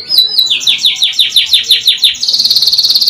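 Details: Canary in long, rolling song: a run of quick descending whistled sweeps, about seven per second, shifts into a rapid, high, buzzy trill on one pitch.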